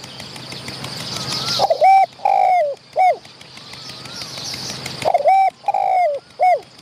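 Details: Spotted dove in the wild, challenging a decoy from close range. Two phrases of three coos each, the middle coo long and wavering, the last one sliding down. A hissing background swells before each phrase.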